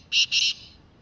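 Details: Black francolin in the wild, calling with two quick harsh, rasping bursts in close succession, then silence; the background is quiet.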